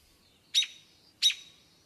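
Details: An aggravated American robin gives two sharp, high, explosive alarm call notes about two-thirds of a second apart, over a quiet background.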